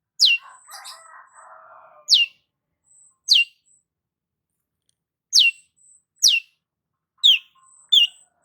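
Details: Long-tailed shrike (cendet) singing gacor-style: isolated piercing notes dropping steeply in pitch, spaced one to two seconds apart. A soft scratchy warble is heard near the start, and a thin high whistle recurs between notes.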